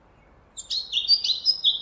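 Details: Eurasian blackcap gives a quick, rich warble of clear fluting notes, sliding and tumbling between high and middle pitches, in a quiet setting; its song typically starts with chattering before louder singing, strophes lasting about ten seconds.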